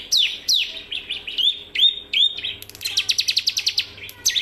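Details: Training song of a bar-winged prinia: several slurred whistled notes falling in pitch, then a rapid rattling run of short high chips, with a faint steady low hum underneath.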